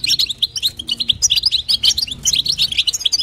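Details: Female European goldfinch calling to excite the male: fast, bubbly high chirps and twitters running without a break, a faint low hum underneath.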